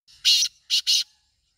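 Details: Three harsh, grating notes from a black francolin, a long first note then two quicker ones, completed in under a second, with a weak low rumble in the background.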